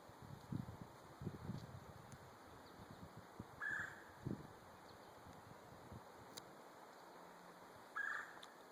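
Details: A pileated woodpecker (Dryocopus pileatus) that has returned to a spot across the street from a driveway gives two short, loud, clear calls about four seconds apart, over low rustling and thumping as someone tries to approach.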